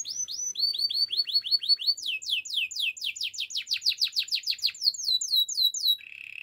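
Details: Gloster canary singing, meant for training canaries to sing; clear rolling trills of repeated downslurred notes, changing speed and pitch in several tours, ending on a buzzy held note.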